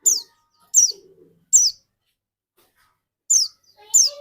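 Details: Dakun white-eye singing steadily, a bird used to lure other white-eyes into song: five high, thin, downslurred whistled notes spaced irregularly, with faint lower tones between them.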